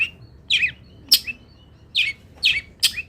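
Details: Long-tailed shrike, local type, singing fill-in phrases for master training: spaced pairs of harsh, scratchy notes, each followed by a sharp high click, about six notes in three seconds over a quiet low hum.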